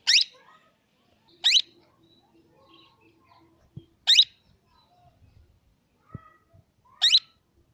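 A plum-headed parakeet gives four shrill, squeaky call notes at uneven intervals of one and a half to three seconds, with faint low knocks between them.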